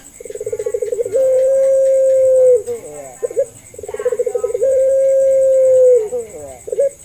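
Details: Puter dove calling in pelung fashion as a lure for doves that rarely call. Two full phrases each start with rapid pulsed cooing, swell into a long level drawn note, then break into a few short trailing notes. A faint whine continues underneath.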